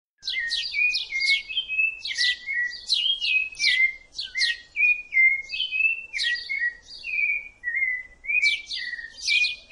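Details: A rufous-bellied thrush, rust-coloured breast, sings a continuous run of bright, high chirped notes, each ending in a lower slurred whistle, repeated in quick phrases with no other sounds.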